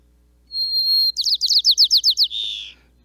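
White-crowned Sparrow song: a long, clear introductory whistle, then about eight quick slurred chips and a buzzy trill to finish, all high-pitched.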